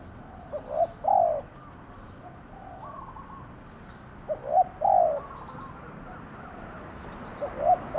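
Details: Spotted dove kept as a lure bird for decoy trapping, cooing in three phrases. Each phrase has a short note followed by a longer, mellow, lower coo, spaced a few seconds apart against a steady background hiss.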